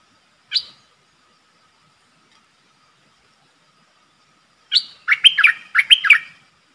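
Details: Decoy streak-eared bulbul calling to attract a wild flock: a single sharp chirp, a long silence, then a quick run of bubbly, jumpy notes rising and dipping in two linked bursts.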